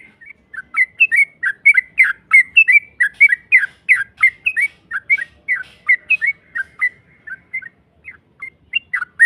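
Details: Yellow-vented bulbul giving a long rapid 'ropel' song used as a lure to provoke a rival into answering: a steady run of bubbly, slurred whistled notes, about three per second, with quiet pauses between short bursts.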